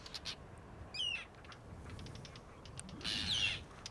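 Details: Two harsh, grating, down-slurred Arctic tern cries about two seconds apart at an Arctic nesting colony, the second longer and rasping, over a low rumble of wind; the species returns here each year to breed and winters in Antarctica.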